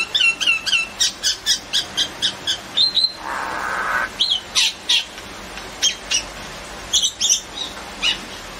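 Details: Common myna (Acridotheres tristis) giving a rapid series of harsh, squawking notes, about four per second, mixed with higher whistles and a brief rasping burst.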